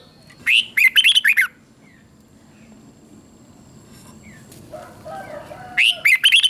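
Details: Caged red-whiskered bulbul in Thailand giving southern master-style song used to rouse other bulbuls: two short, lively phrases of clipped whistled notes separated by a quiet gap with faint chirps.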